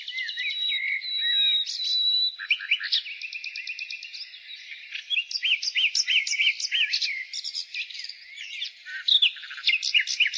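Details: In spring, a nightingale sings a long varied sequence: a held whistle, a fast rattling trill, then rising slurred notes repeated in a quick series, followed by chattering clicks with a faint chorus behind.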